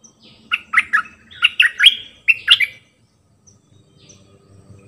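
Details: Decoy bulbul singing one of its many songs: bubbly, warbled phrases of quick, rich notes, rising and falling in two short bursts, then quiet with faint background noise.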